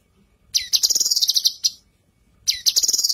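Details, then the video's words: Female leafbird (cucak kinoi) singing a training song for other birds: two bursts of rapid, high, chattering chirps, each about a second long and separated by a short pause, in a quiet setting. "MASTERAN CUCAK KINOI BETINA GACOR"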